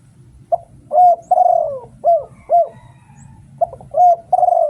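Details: Spotted dove, Thailand, used for decoy calling to lure wild doves: mellow, hollow coos in short phrases, a clipped note followed by longer drawn-out coos, repeating in a lively rhythm with brief pauses.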